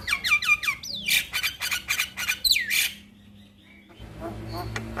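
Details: Male Javan myna singing for a master recording meant to set other mynas singing: a quick run of repeated whistled downslurs, harsh rasps and another sweeping whistle, then near quiet.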